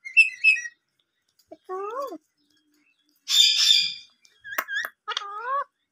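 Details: Tame green ring-necked parakeet, playful and talkative, producing scattered phrases: a quick chirped note, a wavering whistle, a loud harsh burst like mimicked speech, then sharp clicks and a final wavy whistled phrase, with silences between.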